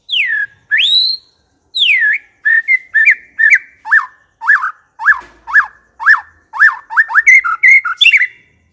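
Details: White-rumped shama (murai batu) singing vigorously: long loud downslurred and upslurred whistles, then a steady series of short sharp notes about twice a second, each dipping in pitch.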